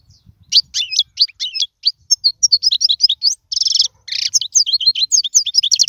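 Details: Tutor song of a European goldfinch for young birds: lively chain of high chirps, slurred whistles and a harsh buzzy burst near the middle, delivered in a dense, continuous twitter.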